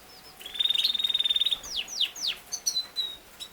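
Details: Song of a Yorkshire canary, known as king size canary: a fast, even rattling trill held on one high pitch for about a second, then three loud falling whistled notes and a few short tweets.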